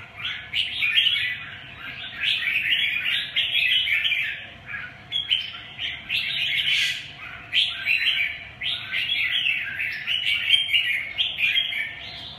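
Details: Red-whiskered bulbul singing in repeated bursts of rapid chirping and warbling, each about a second long, separated by brief pauses over twelve seconds, with a low constant background hum.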